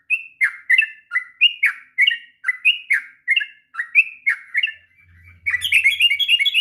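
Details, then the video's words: Sooty-headed bulbul, a lively kept bird, singing a long ngropel-style song used as a master recording to train young birds: bubbly whistled phrases of two or three falling notes repeated about every third of a second, ending in faster twittering. "kicauan trucuk ngropel panjang...cocok untuk masteran trucukan bahan.."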